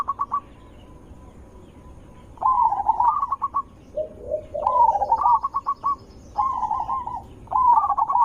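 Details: Zebra dove, a strong, sweet lure voice meant to make other zebra doves reply. After a quiet stretch, rolling warbled phrases and quick clipped notes come in bursts, mixed with lower gurgling coos.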